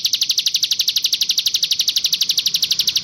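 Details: Sunda warbler song variant for bird tutoring: steady, machine-like high trill of fast buzzy pulses, roughly twelve per second, evenly spaced from start to end.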